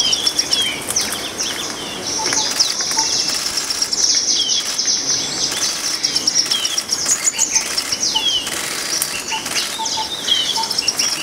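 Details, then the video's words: Green-tailed Sunbird giving thin, high chips and short slurred notes in quick, busy bursts, with a soft background hiss and possibly other small birds. "Green-tailed Sunbird"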